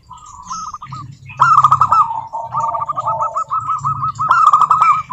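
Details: Local zebra dove song, meant as a lure to get other doves singing: rapid rolling trilled coos near one pitch, with a louder burst of trills midway and again near the end, over a low rumbling background.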